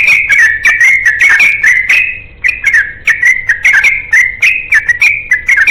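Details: Fast ropel song of a yellow-vented bulbul in search of a companion: bursts of loud, liquid, chattering whistles, a brief pause midway, then more rapid warbled phrases.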